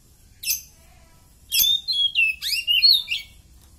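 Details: Oriental magpie-robin in strong condition, heard as a tutor song: a lone sharp note, then a burst of rich, rapid whistled and buzzy phrases sliding up and down, against a quiet background.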